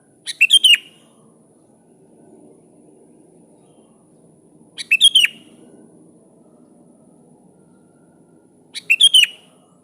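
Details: Calling out to a rival, a sooty-headed bulbul repeats a brisk burst of three or four sharp, liquid chirps three times, roughly every four seconds, over a faint low hum.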